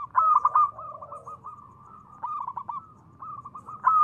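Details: Zebra dove of local stock, its call used to prompt other doves to respond: a strong stuttered coo opening, a trailing series of softer rolling notes, then another loud burst at the close.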